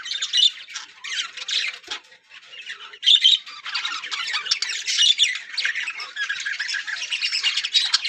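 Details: Yellow budgerigar breeding colony giving a constant wash of scratchy, high chirps and squawks from many birds at once. A short lull comes near the middle.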